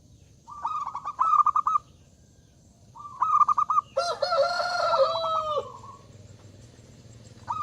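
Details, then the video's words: Zebra dove singing loudly to call out rivals, giving two stuttering phrases of rapid cooing pulses ending in a held note; a rooster crows long and loud midway through. "Suara Burung Perkutut Gacor Suara Besar Mengundang Lawan Bunyi"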